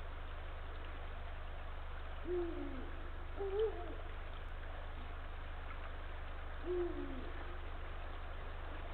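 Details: Eagle owls near their Estonian nest on a March 2023 evening, the male calling the female away before mating: three faint, deep, brief hoots spaced unevenly across several seconds against constant low hum and hiss.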